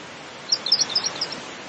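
A pink robin gives a quick run of about six thin, high ticking notes in under a second, over a soft steady hiss of background noise.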